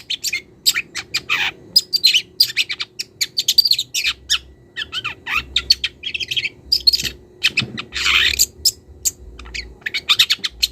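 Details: Young wild long-tailed shrike calling a rival and beginning to show its mimicked notes: a dense run of harsh, scratchy bursts mixed with short whistled chirps and a few rising-then-falling slurred notes, with a faint low hum underneath.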